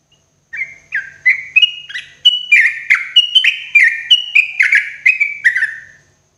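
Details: Sooty-headed bulbul, or trucuk, giving a morning song meant as therapy for cage birds: a long, lively chain of around fifteen whistled notes, each with a quick downward slur, gently rising in pitch and then settling.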